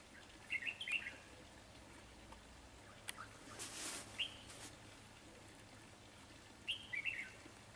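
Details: Red-whiskered bulbul decoy in a trapping setup utters short, fairly faint chirped phrases at the start and end, with a broad rushing noise burst in between.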